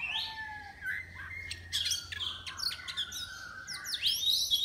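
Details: Caged Oriental magpie-robin entered in an online singing contest, from Miri, Sarawak: sustained whistled notes sliding downward, then a burst of sharp high chirps and rising sweeps toward the end, over faint low hum.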